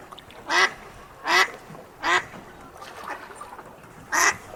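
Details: Early-morning ducks feeding outside an aviary give loud, raspy quacks in an uneven series, four strong ones with a softer one between, roughly one per second.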